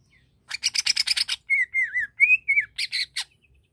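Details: Greater green leafbird singing to stir another bird into aggression: a rapid burst of harsh buzzy chattering notes, followed by looping whistled phrases and a few more scratchy notes.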